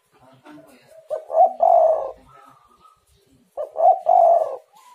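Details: Spotted dove cooing, played to coax reluctant doves into calling: two phrases, each a pair of short stuttering coos followed by a longer, throaty, wavering coo. Faint background noise between phrases.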